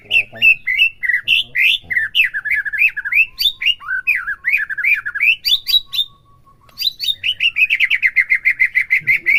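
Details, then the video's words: White-rumped shama singing, used to excite a captive bird into song: a long varied stream of chirped and whistled notes rising and falling, a brief gap, then a rapid even rattle of repeated notes. "PERANGSANG EMOSI MURAI BATU AGAR CEPET IKUT BONGKAR"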